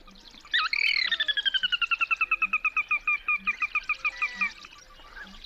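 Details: A territorial Sora in a wetland gives its whinny, a long rapid run of about two dozen high clear notes descending and slowing over four seconds; often set off by loud noises like a car door.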